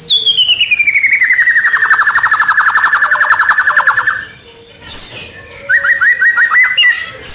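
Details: White-rumped shama lure song for drawing in rivals: a long fast trill sliding slowly downward for about four seconds, then a pause and a phrase of quick rising chips.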